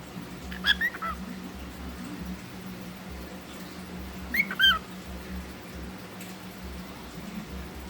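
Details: A pet cockatiel playing peek-a-boo gives two brief, bright chirping phrases a few seconds apart over a low indoor hum.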